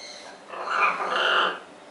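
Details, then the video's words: Scarlet macaw pair on a farm producing a softer, nasal, two-part croaking call that swells and fades over about a second, with a low steady background hum. "scarlet macaw pair"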